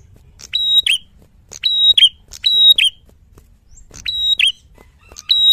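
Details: Red-headed tit singing in the loud, clear 'gacor fighter' style: repeated phrases of a sharp high whistle with a buzzy flourish, about once a second, in a quiet setting.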